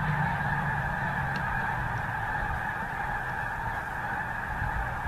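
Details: Geese flying over the Missouri, a flock chorus of honks blending into a steady, continuous band of sound with no clear gaps, faint low rumble underneath.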